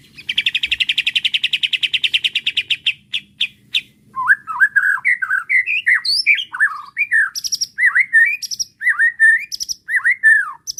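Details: White-rumped shama singing in response to a provoking bait sound and unloading its learned repertoire: a fast buzzy chattering trill of about three seconds, then varied rising and falling whistled phrases with sharp high chips.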